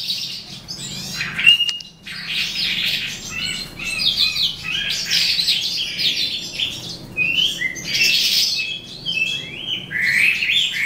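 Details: Eastern calandra lark of the subspecies psammochroa singing at the end of the day: a continuous, rich jumble of chirps, trills and scratchy notes with brief whistled slurs, delivered in dense bursts throughout.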